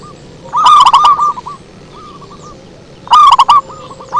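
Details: Zebra dove song for luring: two loud phrases of quick, ringing coo notes trailing into softer spaced notes, with a fainter dove cooing in the gap.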